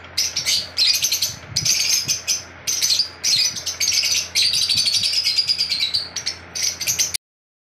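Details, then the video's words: Albino lovebirds kept as pets chirping in rapid, high-pitched bursts, each lasting about half a second to a second and repeated almost without pause, over a faint low background hum. "Albino Love Birds"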